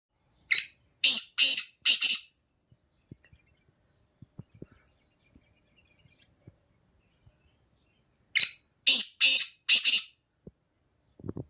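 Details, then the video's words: Black francolin (kala teetar) calling: a phrase of four harsh, rasping, grating notes in quick succession, repeated after a pause of about six seconds, with faint clicks and ticks in the quiet gap. "Kala teetar ki awaz 2023 | Black franclion singing | Black partridge Voice"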